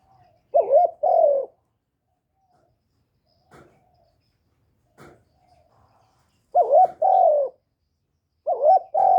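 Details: Captive decoy spotted dove cooing to stir newly kept doves into calling; two-part phrases, a wavering note then a longer falling coo, repeated roughly every two to three seconds, with faint soft clicks between.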